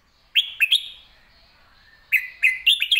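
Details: Red-whiskered bulbul giving crisp, quickly articulated song: three sharp chirped notes, a short quiet pause, then a tumbling series of bright, rapid chirps and slurred whistles.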